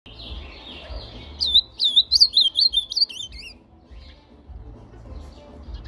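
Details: A brown-plumaged (pardo) Ultramarine grosbeak sings one rich, sweet warbled phrase of quick rising and falling whistles lasting about two seconds, over a low background hum.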